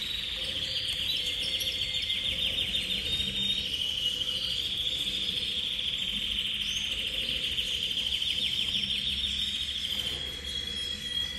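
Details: Canary of the cobalt copper intense variety delivering a long unbroken rolling trill, high and tightly pulsed, lasting about ten seconds with slight rises and falls in pitch, steady hum behind.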